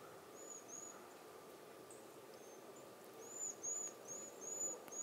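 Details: Cedar waxwings giving soft, very high, thin whistled calls, short slurred notes coming more often in the second half, over a low background rumble and a faint steady tone.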